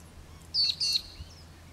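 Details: An Australian ringneck of the Western form, feeding on Crotalaria cunninghamii at the De Grey River, Pilbara, on 13 June 2012, gives two quick, shrill, slightly falling whistled notes over a faint hum.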